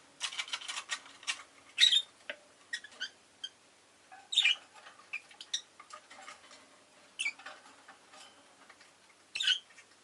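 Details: Rosy-faced lovebird chirping: a busy run of sharp, shrill, high squeaks and clicks, several louder piercing chirps standing out every two to three seconds over quieter chatter.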